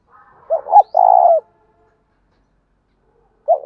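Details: Low, hooting coo of a spotted dove singing in the 'thổ đồng' voice to provoke rival wild males: two quick notes, then a long steady note. A new phrase begins after a silent gap of about two seconds.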